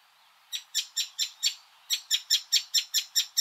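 Icterine Warbler song: a run of five high, scratchy notes, a short pause, then about nine more repeated quickly, several per second, with no other sounds.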